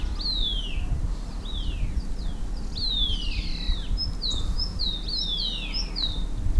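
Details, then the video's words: Foraging green-backed tit in shrubs and on the ground gives a lively series of chirpy, high, down-slurred notes, sparse at first, then quickening into short rapid chirps, with a low steady hum behind. "Green-backed Tit chirpily frightens insects from their shrub haunts, eats on the ground"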